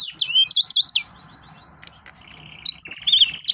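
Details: Excited male yellow-fronted canary giving a quick burst of high chirps and slurs, falling quiet, then resuming with a buzzy trill and ringing whistles.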